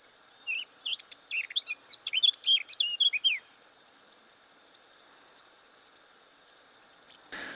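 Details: Male blackcap singing from a low bramble perch, filmed on a separate visit: a quick burst of varied warbled, whistled notes sliding and tumbling for about two seconds, then quieter high twittering, with steady background hiss.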